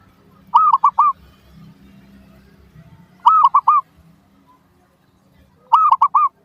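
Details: Zebra dove song used as a lure to get other doves calling back: three phrases of three quick, warbled coos, spaced about two and a half seconds apart, with soft low hum between.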